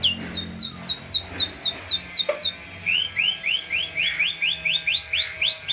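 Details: Myna singing continuously, a long series of rapid, evenly repeated whistled notes, each note sliding upward, with a faint low hum underneath.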